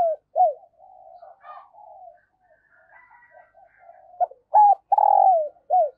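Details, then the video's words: A female dove gives soft, low hollow coos, short loud notes at the start and end with quieter murmured cooing between, a call used to stimulate male doves. "Tiếng chim Cu Mái Kích Trống"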